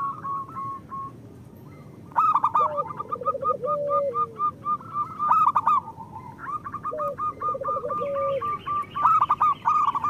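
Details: Local zebra doves singing, meant as a master track for lazy birds: quiet opening, then loud rapid chattering coos from about two seconds on, with rolling lower phrases ending in a drawn-out note.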